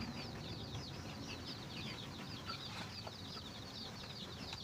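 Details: Chickens finding food for their babies: loud, crowded high peeps pour out continuously in overlapping downward slurs, over a thick low background rumble.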